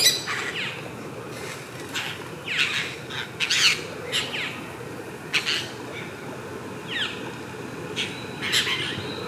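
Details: Apostlebirds at their mud nest: harsh, scratchy calls in short bursts spread through the clip, with a steady low background rumble.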